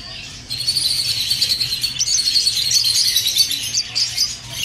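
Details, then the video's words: Budgerigar warble for encouraging mating: after a quiet half second, a steady, rapid high twittering begins, full of quick rippling and squeaky notes that continue to the end, over a faint hum. "تحفيز عصافير البادجي الاسترالي علي التزاوج بسرعة"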